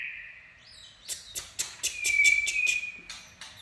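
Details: White-rumped shama in its running song style, called chạy cầu: a steady whistle followed by sharp clicks and a long, clear held whistle, then more clipped notes.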